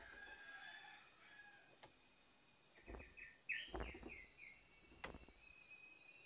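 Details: Morning song of an orange-headed thrush, played to coax a silent bird back into song: a short burst of quick, rolling whistled notes midway, set against faint hiss, a few sharp clicks and dull knocks.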